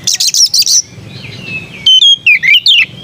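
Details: Sweet-voiced white-rumped shama: a quick burst of high chattering notes, a soft pause, then a series of loud clear whistled notes sliding downward, some bent and swooping.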